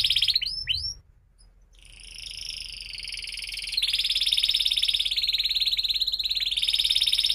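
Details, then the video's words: Canary singing, used as a lure to teach young canaries to sing: a few quick upward chirps, a brief pause, then a long high, rapid buzzy trill that keeps going. "kenari gacor panjang Cuit Cuit EMOSI, Pancingan Kenari Paud Belajar Bunyi"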